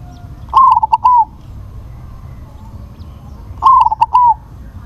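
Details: Two loud, crisp phrases from a crossbred perkutut, or zebra dove: a strong first note, staccato broken coos and a sustained falling finish, separated by about three seconds of quiet.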